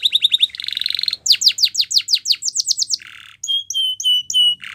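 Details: Canary singing a training song: fast chirped phrases, then a buzzy roll and a run of loud descending sweeps, then a lower rasp and separate clear whistled notes.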